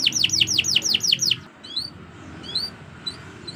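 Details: Canary song recorded as a training tutor for other birds: a rapid series of seven sweeping downslurred notes, then soft scattered high chirps over a low background hum.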